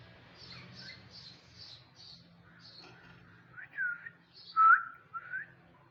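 A rose-ringed parakeet gives a run of quick high chirps, then several louder, sweeping whistled phrases near the end.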